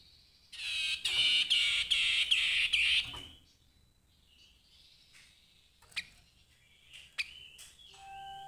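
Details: Grey-headed babbler singing a dense, rapid chattering phrase of about two and a half seconds, followed by softer scattered whistles and clicks.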